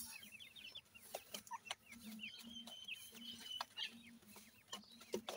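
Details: Francolin chicks, 28 days old, feeding in a yard, giving thin descending peeps in rapid overlapping runs, one drawn-out level whistle among them, with scattered sharp clicks and a constant low mechanical hum.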